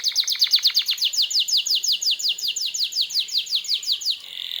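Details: Canary song aimed at triggering replies from other canaries: a fast, even series of about thirty repeated downslurred notes, steady in rhythm, ending in a brief buzz.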